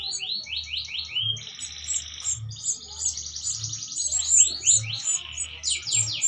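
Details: Breeding canary mating while feeding its chicks, used as a lure sound to stimulate breeding: high rapid repeated falling whistles and dense buzzy trills, over a steady low thumping pulse about once a second.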